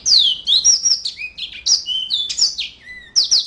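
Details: Yellow-fronted canary singing in full gacor style: a rapid run of sweet whistled notes, rising and falling slides and quick trills, high-pitched with brief pauses, over a faint low background hum.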